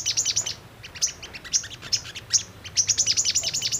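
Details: Brown-throated sunbird song used as a lure to make birds respond: clusters of high, bright chipping notes, scattered pips and a fast closing run of metallic ticks.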